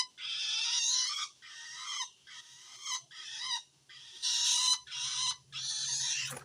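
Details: Long-tailed shrike calling to wild shrikes, a call that signals the bird feels threatened by other shrikes. Seven harsh, rasping, broadband bursts of about half a second to a second each, separated by short pauses, with a faint low hum beneath.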